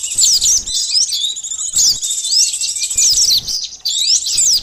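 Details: Lure recording of a sunbird for bird catching, with rapid shrill chittering and quick up-and-down slurred notes in bursts of about one second, separated by short dips.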